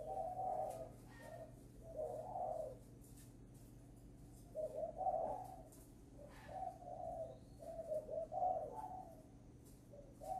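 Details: Young caged spotted dove at a bird farm in Ba Vì, Hanoi, Vietnam, its voice newly matured, readied for a buyer on 10 November: faint, low, hoarse coo phrases repeated in bursts over a steady background hum.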